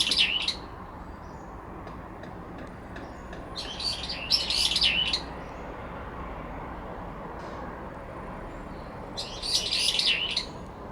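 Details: Territorial dispute between two brown-eared bulbuls in a cherry tree, late September, the resident interrupting a sweet-voiced rival; shrill, wavering screechy phrases come in clustered bursts early and again near the end, with faint distant chirps between.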